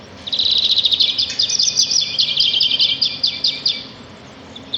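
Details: Sparrows singing in nature, a fast run of bright, sharply repeated high notes lasting about three seconds before fading, with one short chirp at the very end.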